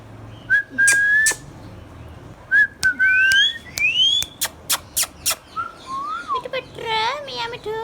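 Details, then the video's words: Green Indian ringneck parakeet, a hand-tame pet that talks: level and rising whistled notes mixed with a fast series of sharp clicks, ending in wavering harmonic talk-like squawks. "Ringneck parrot compilation | Parrot natural sounds | Green Ringneck Parrot sounds"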